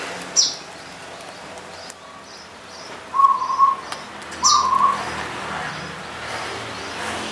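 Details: Mount Slamet slope zebra dove, local punden-type perkutut from Banyumas, in song. Two brief rattling, mid-pitched coo phrases about a second apart, with piercing high chirps from another bird scattered around them.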